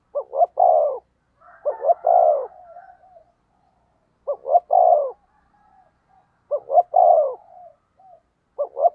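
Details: Spotted dove used as a decoy to provoke rivals, giving low, hollow cooing phrases of two quick clipped notes and a longer swelling coo, repeated about every two seconds, with soft fainter notes in the gaps.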